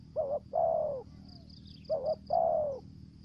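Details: Two phrases from a spotted dove lure bird of Trà Vinh, Vietnam, in 'thổ dế' voice with 'dập' and 'mai rừng' style: a brief doubled note, then a long downward-sliding coo, over a pulsing high whine and low hum.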